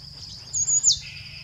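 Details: Somali tit, a scrub specialist, singing: a high thin whistled note held briefly, then a sharp downward slur into lower fading tones, over a steady high background hum.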